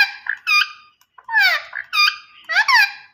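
A ring-necked parakeet gives a string of five or six harsh, nasal squawks and speech-like syllables, some sliding downward, in quick bursts.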